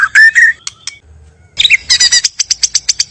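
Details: White-rumped shama, male and female, natural recording used as a trapping lure: slurred whistles near two kilohertz, a brief pause, then a burst of harsh, rapidly repeated clicking notes about five per second.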